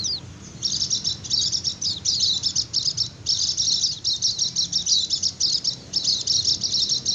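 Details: High, fast chattering song of a white-eye, 'ngecir' style, used to draw in wild birds or coax quiet ones to sing: long runs of twittering with short pauses between runs.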